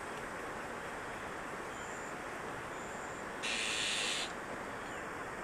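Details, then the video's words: Azure-winged magpie chick-rearing in Maeji-ri, Wonju, Korea: one short, noisy rasp near the end, quieter than the surrounding steady rushing noise that fills the recording. "물까치의 육추 #1"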